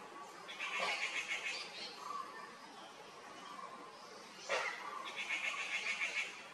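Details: A pair of grey-fronted green pigeons in Kerala: two bursts of warbling, modulated whistles with stacked tones, separated by a quieter stretch with faint lower whistles.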